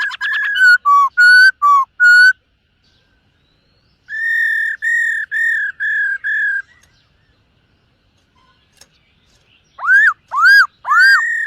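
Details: Morning voice-training song of a black-throated laughingthrush that sings and dances. Fast choppy whistles open, then a row of six steady level whistled notes, a pause, and three loud upslurred arching whistles.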